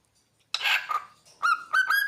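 A cockatiel gives a harsh burst, then clear whistled notes that rise and swoop like a wolf whistle.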